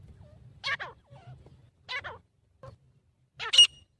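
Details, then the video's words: Grey francolin calling to announce its territory, a sound mostly given in the morning or evening: three spaced, sharp notes with falling tails, the last one loudest and shrill, over a low background rumble. "Teetar Ki Asli Awaz"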